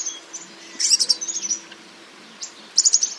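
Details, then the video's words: European Serin song: two short bursts of very high, jingling twittered notes, one near the middle and one at the end, separated by quiet with a faint steady low hum. "C'est un gazouillis précipité et liquide, fait de notes aiguës de tonalité élevée qui s'enchaînent souvent sans discontinuer pendant plusieurs dizaines de secondes."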